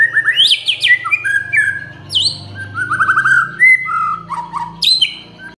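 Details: White-rumped shama song played as a lure to get other birds to sing: loud melodious whistles, quick trills and high sweeping notes over a low steady hum.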